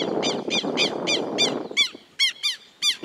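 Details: Southern lapwing alarm during an attack by a pair on the cameraman: rapid strident harmonic cries about three per second, first over low rumbling noise, then cleaner and spaced.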